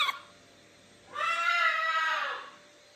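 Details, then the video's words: Pet macaws indoors, a young male chick perched on a shoulder while a female calls from another room: one long, harsh, raspy scream lasting over a second, steady, then fading at the end, after a brief sharp sound at the start. "Как кричит попугай ара"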